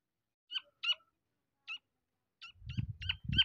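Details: Black francolin chick: thin, high, short peeping notes in ones and twos, spaced irregularly, with low rumbling handling noise toward the end.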